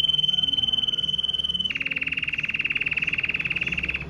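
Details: Powerful song from a Red Mosaic Agate canary. A steady pure whistled tone held for over a second breaks into a rapid, rattling roll at slightly lower pitch that runs to the end.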